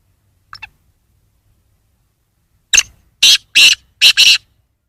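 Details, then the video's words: Black francolin giving a harsh, rasping call: a soft double note, a pause, then five loud grating bursts in quick succession, some paired, over a quiet background. "kala teetar ki awaz"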